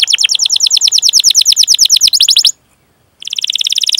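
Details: Canary singing long 'cuit cuit' rolling (ngerol) song, used as a lure and master song for young, untrained or silent canaries: a fast rapid trill of down-slurred notes for over two seconds, a short pause, then another bright trill.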